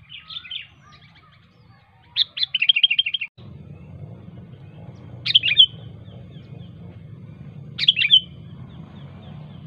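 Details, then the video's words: Sooty-headed bulbul in the wild, calling to rivals: a fast rattling burst of repeated chirps, then single sharp bubbly notes spaced about three seconds apart, with a low background hum rising midway. "suara burung kutilang gacor asli alam tanpa isian"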